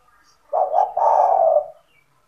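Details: A kept spotted dove in full calling form, used to lure other doves into calling: one low, hoarse coo phrase, a short note then a longer rolling coo, over a quiet background.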